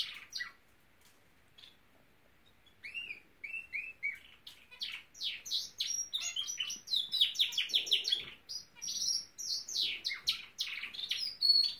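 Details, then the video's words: Norwich canary starting with a few soft notes, then building into steady song of repeated slurred whistles and rapid, pulsing trills that grow louder. "the Nowrich Canary singing!"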